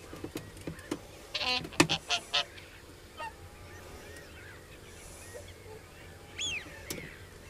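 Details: Common crane calling: a burst of four or five loud, harmonic-rich trumpeting notes in quick succession, then quieter scattered calls and a final rising call, over steady low background hum.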